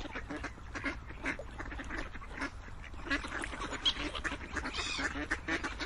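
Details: A crowd of ducks gives harsh, nasal quacks in quick succession, the calls overlapping into a steady chattering din, with a few louder honk-like notes near the end.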